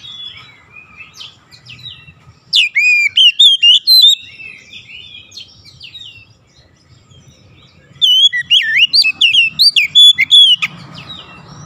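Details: Oriental magpie-robin song used to prompt other magpie-robins to sing: two loud bursts of rich whistles, rapid slurs and clipped notes with a quiet gap between, ending in a hissing noise.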